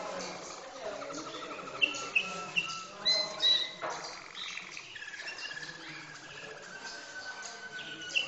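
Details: Malinois canary singing a varied phrase of clear chirps and high whistles, then a long level trill toward the end.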